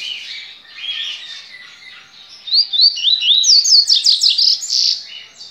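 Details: Caged Bahian double-collared seedeater at a licensed breeder, 23 November 2019: soft warbling opening, then loud rising whistled slurs leading into a rapid run of sharp downward-sweeping notes and a final buzzy tone.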